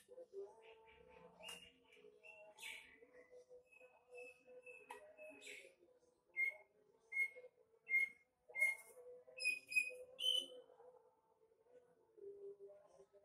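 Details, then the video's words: Female greater green leafbird, a caged bird kept for breeding, singing a varied sequence of clear whistled notes, some held and level, others short and repeated about once a second, with soft chatter in between. "KICAU BURUNG CUCAK IJO BETINA"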